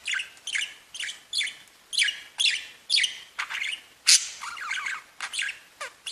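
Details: Budgerigars warbling cheerfully in a busy chatter of bright, raspy chirps and squeaks that tumble over one another in quick, uneven bursts.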